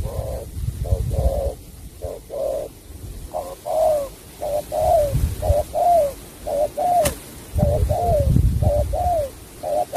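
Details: Spotted dove performing 'sắm bầu bạch đề' song: a long run of doubled coos, the later ones bending downward, about one per second, with a sharp click midway and low rumble beneath.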